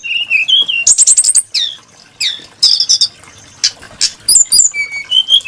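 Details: Varied, melodious Brown-chested jungle flycatcher song with warbled low whistles and a fast high trill, followed by swooping slurs and scattered clicks, then steady rising whistles.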